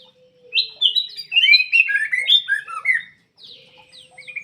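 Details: Black-crested bulbul delivering a rich, fast warbled phrase of rising and falling whistles, then quieter twitters. Played to draw song from quiet birds, with a faint low steady tone beneath.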